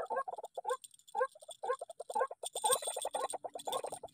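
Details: Agitated white-breasted waterhen reacting to an MP3 decoy, its harsh croaks bunched into fast, uneven clusters, partly overlapping, with later stretches masked by hissing broadband noise.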